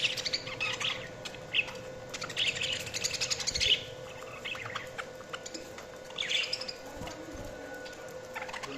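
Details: Budgies heard at a moderate level, giving scattered high chirps and short warbled phrases separated by quieter gaps, with a steady low hum in the background.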